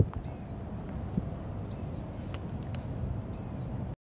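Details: A gray catbird at Mohawk Lake, Savannah, Georgia, gives three nasal, cat-like mews about every 1.5 seconds, each slurring downward, over a steady low rumble.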